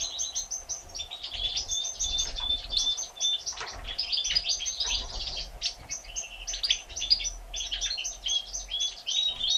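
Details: European goldfinch mother feeding three day-old chicks, born 1 April 2017; the young give steady, rapid high chirping with thin whistled notes woven through, in rhythmic clusters across the whole stretch, with some soft low rustling.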